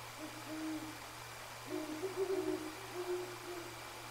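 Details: Two Great Horned Owls, heard but not seen, trade deep, soft, muffled hoots back and forth around 10 p.m. in January near a bald eagle nest, prompting the eagles to vocalize. A steady electrical hum runs beneath.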